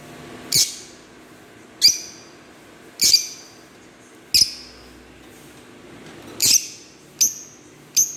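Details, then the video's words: Green Fischer's lovebirds chirping: short, sharp high-pitched squawky chirps repeated at irregular intervals of about one to two seconds, seven calls in all, with a faint low hum in the background. "Lovebird Singing & Chirping sounds -Green Fischerbirds"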